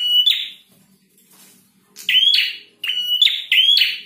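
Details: Male prinia in full, chatty song: one harsh buzzy phrase with a whistled start, a short gap, then three loud click-and-buzz phrases in fast succession.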